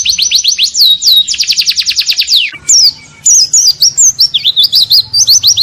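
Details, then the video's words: White-eye (pleci) song used to train songbirds: fast falling notes and a dense rattling trill, a short pause, then jumbled high twisting whistled phrases. "MASTERAN BURUNG PLECI ISIAN. NGALAS DENGAN TEMBAKAN MANTAB."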